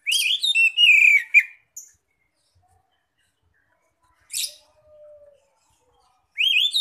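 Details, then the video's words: Oriental magpie-robin, loud open 'ngeplong' singing meant to attract other magpie-robins: a fluty warbled phrase sliding downward, a sharp burst in mid-pause, a faint low whistle, then a fresh rising phrase. "pancingan Kacer bikin gacor"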